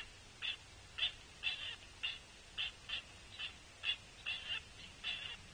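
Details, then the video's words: A young pileated woodpecker begs its mother for food with short, squeaky high notes, about a dozen in five seconds at an uneven pace, over a faint low hum. "Biggest Woodpecker Youngster Begs A Bite from Mom"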